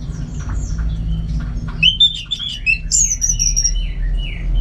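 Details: Orange-headed thrush, a contest bird in Singaraja, North Bali, singing indoors: soft scratchy notes, then a loud burst of varied whistles and a high ringing slurred phrase, with a low background hum.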